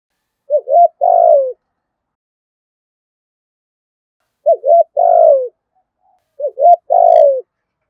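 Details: Spotted dove call meant to stir other doves into cooing. Three low, mellow phrases, each a quick two-part note and then a drawn-out falling coo, separated by about four seconds and then one second of silence.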